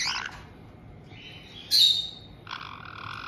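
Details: Captive white-bellied caiques in Tokachi, Hokkaido, Japan, a resident pair welcoming a newly arrived chick just over two months old; a thin rising whine, then a sharp loud shriek, followed by a steady nasal buzzing note.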